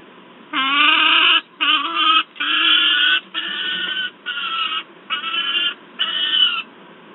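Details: Noisy juvenile peregrine falcon at a nest site in Wałbrzych, Poland, on 10 August 2022, with an adult also present: seven loud, harsh, harmonic screams, each about half a second to a second long, repeated with short gaps.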